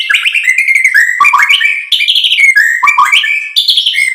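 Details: Continuous fast white-rumped shama song meant to stir other birds to sing, a dense flow of slurred whistles stepping up and down in quick repeated phrases, loud and without pause.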